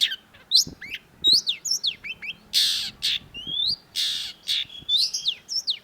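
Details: Long-tailed shrike in vigorous song, recorded as a training track for songbirds: a busy run of varied whistled, upslurred and downslurred notes mixed with harsh raspy bursts, delivered almost continuously with brief gaps.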